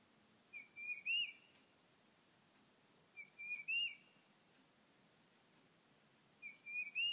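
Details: At a busy bird feeder a tufted titmouse sings instead of calling, captured on an iPhone: a clear whistled phrase of two to three notes ending in a loud upslurred whistle, repeated about every three seconds.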